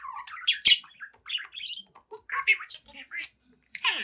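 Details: Pet budgerigar aged seven months singing and talking before a mirror: fast chattering warble mixing low grating notes, squeaky chirps and one loud sharp click-like burst, continuous without pause.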